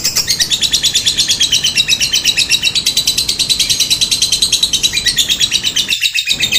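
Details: Lovebird chatter used as a lure to set other lovebirds calling back: a long, unbroken run of rapid, high, scratchy notes, steady in pace, with a brief gap in the low background near the end.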